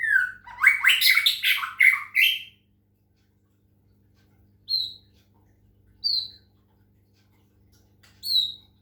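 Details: Medan white-rumped shama during water-sound therapy: a loud tumbling phrase of buzzy, rising and falling notes, then silence broken by three short, sharp high notes spaced over a second apart.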